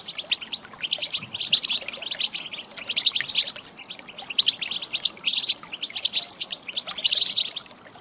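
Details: Female European goldfinch call used to stir males to sing: dense, rapid high twittering chirps in bursts, steady throughout with short pauses near two and five seconds, no other sounds.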